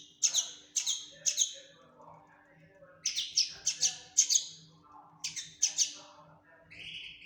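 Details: Fledgling common linnet calling with groups of two to five sharp, high chirping notes separated by short pauses, plus quieter low twitters and a brief buzzy note near the end.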